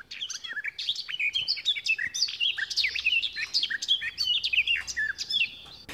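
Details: A Garden Warbler, hidden in lush late-spring greenery, pours out a long, even warble of rapid mellow notes, unchanged in tone and pitch, with no closing flourish, simply cutting off abruptly.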